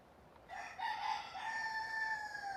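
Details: Rooster on a farm, filmed with its natural sounds, crowing one long drawn-out cock-a-doodle-doo: a short rise, a break, then a sustained, slightly falling nasal tone lasting about two seconds over quiet background.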